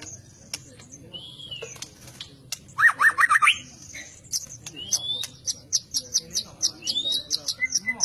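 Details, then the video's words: White-rumped shama, a fighter-type murai batu known for unusual voice, giving a burst of rapid rising chips, then sharp high ticks and thin whistles repeated in quick series over faint background noise. "MURAI BATU FIGHTER memiliki berbagai gaya tarung"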